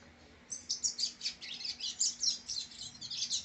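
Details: Captive rusty-collared seedeater (coleiro), a brown-plumaged young male bred from a named song lineage, sings a fast run of high, bright twittering notes in quick bursts, about two per second, with nothing else audible.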